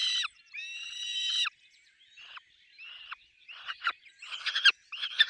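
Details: At the nest with chicks, a peregrine falcon gives a long, level, nasal wail, then softer whines, ending in sharper, ragged cackling notes.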